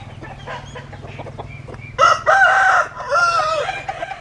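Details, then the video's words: Domestic rooster gives a single loud crow starting after two seconds, a harsh harmonic call with a short first note and a long sustained middle, over low hum and faint distant clucks. "Tiếng Gà Gáy Hay Nhất 2021"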